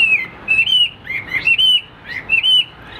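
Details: Vietnamese caged Hwamei, a fighting and display bird, singing bright whistled phrases in short bursts separated by pauses. The phrases include level whistles and quick rising-falling slurs, all high-pitched and clear.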